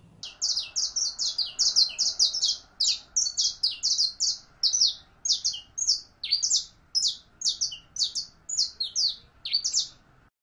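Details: A saffron finch (Sicalis flaveola), called canario criollo, sings a long run of bright, sharp chirps, about three a second, over a faint steady hum.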